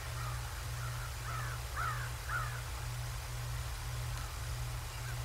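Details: Bald eagles at the Decorah North nest, 7 January 2024 at 08:36 on a live nature cam: a short run of faint, thin, squealing notes rising and falling, over a steady low mechanical hum.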